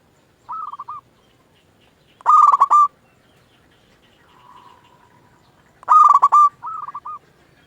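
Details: A local zebra dove sings to draw other doves into answering. A soft pulsed phrase is followed by a loud rolling coo, a faint low hum between, then another loud coo and a softer trilled tail.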